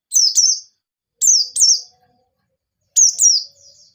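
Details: White-eye in forest-style song for coaxing untrained birds to sing: paired high, sharply downslurred chirps given in three separated bursts, with a faint soft trill at the end.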